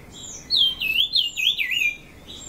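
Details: Brown-cheeked fulvetta song at Dongarmatha, Parshuram, Maharashtra, India, on 24 June, hill forest: a sweet, wavering phrase of slurred whistles rising and falling, about one and a half seconds, faint background hiss.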